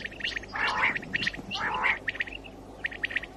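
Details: A common quail calls in the morning in 2019, giving quick, liquid 'whit-wit-wit' notes in short repeated bursts, mixed with softer, rougher murmuring sounds.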